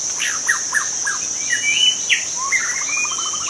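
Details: Wild young white-rumped shama from forest habitat: a string of sharp downslurred notes, long level whistles, then a fast even rattling trill, over a steady insect drone.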